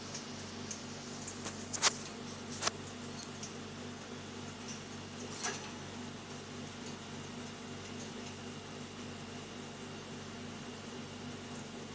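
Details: A steady indoor hum, like a fan, with a few sharp clicks and taps near the start and no animal voice.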